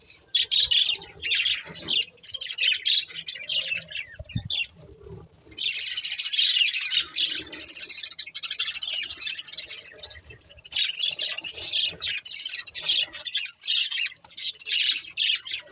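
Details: Long stretches of budgie chatter: dense, scratchy, high-pitched warbles and chirps in bursts lasting several seconds, with brief lulls between them.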